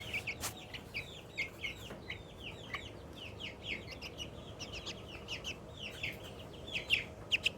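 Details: A young, excited Australorp chicken making happy sounds: rapid, high, downslurred chirps and trills repeated many times in quick succession, with soft background hum.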